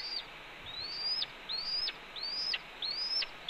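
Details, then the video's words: Red-tailed hawk scolding at its Cornell nest on an April 2013 morning while its mate brings a branch; sharp rising whistles with a sudden fall at the end, repeated roughly every two-thirds of a second. "Cornell RTH_Ez Delivers Branch and Gets Another Earful..About the Starlings?"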